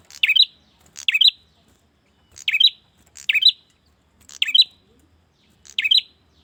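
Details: Male bar-winged prinia calling to a female: six short, piercing chirps, sometimes paired, repeated at about one-second intervals with silence between.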